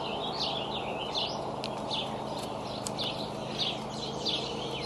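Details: Young bald eagles, about two months old, sparring in the Decorah nest in late May 2012. Scattered high, squeaky chittering notes come between sharp clicks and knocks, over a constant rushing background.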